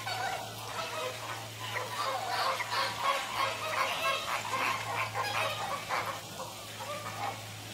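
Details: American flamingos calling together in a dense, continuous gabble of overlapping nasal honks, about three per second, over a steady low hum.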